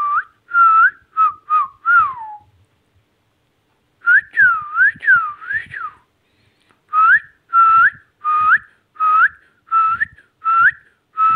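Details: Pet Indian ringneck parrot indoors whistling a tune: clear looping whistled notes, rising then falling, in quick phrases of four to six, separated by brief pauses.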